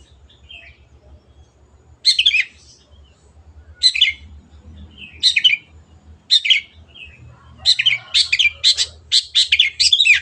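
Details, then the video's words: Long-tailed shrike (cendet) in masteran song: spaced harsh scratchy bursts every couple of seconds, building into a quick run of rasping chatter notes near the end, over a faint low hum. "MASTERAN BURUNG CENDET GACOR"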